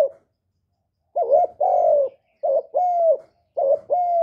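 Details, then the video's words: Spotted dove, or cu gáy, calling and cooing: three phrases, each a brief dipping note then a sustained mellow coo, steady in pitch and slowly falling at the end, spaced roughly one per second with no other sounds. "Cu Gáy GỌI + THÚC + Gù"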